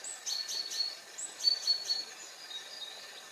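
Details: Wood sandpiper on the drained Křižák pond near Turnov, Bohemian Paradise, Czech Republic, gives two quick bursts of three or four high, sharp whistled notes, chiff-iff-iff, about a second apart; faint background hiss.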